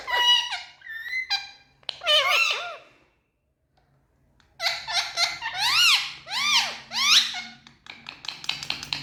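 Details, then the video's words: Indian ringneck parakeets kept indoors, happy and talking, produce chattering arched notes, then a silent stretch and a lively run of repeated bouncing, laugh-like squawks. "Speaking Parrots🌶So Happy🎊 Indian Ringneck"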